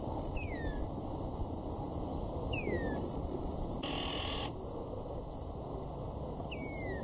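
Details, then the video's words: Male and female Red-winged Starlings feeding on prickly pear berries, Eastern Cape, South Africa, March 2016, give musical contact calls: three clear, downslurred whistles two to four seconds apart over a low rumble and brief hiss. "Red-winged Starling"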